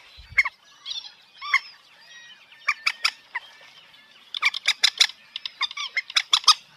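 Common moorhen giving harsh, abrupt croaking notes, scattered at first and then packed into a rapid, uneven run of grating calls.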